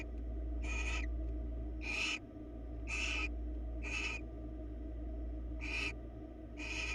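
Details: Repeated rasping, breathy screeches from barn owls on a Florida nest camera, six bursts of roughly half a second each at about one-second intervals, with a constant low electrical hum underneath.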